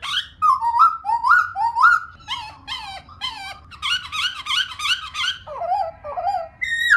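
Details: Varied whistled song of a female laughingthrush, slurred rising and falling notes in quick sequences, some high and squeaky, others lower and drawn out. Meant to get other birds singing.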